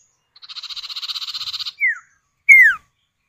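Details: Common iora male and female calling back and forth, used as a lure to get other birds singing: a buzzy, evenly pulsed rattle lasting over a second, then two sharp downslurred whistled notes.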